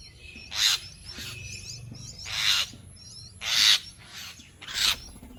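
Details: Jungle myna uttering four loud, harsh, rasping screeches, each about half a second long and spaced roughly a second apart, over faint high chirping from other birds.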